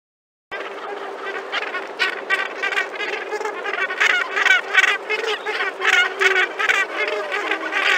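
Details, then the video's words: A large Cape gannet (Morus capensis) colony at Lamberts Bay, South Africa, 30 April 2021. Harsh, grating calls overlap constantly, with several bursts each second from many birds at once, forming a dense colony din. "Cape Gannet (Morus capensis)"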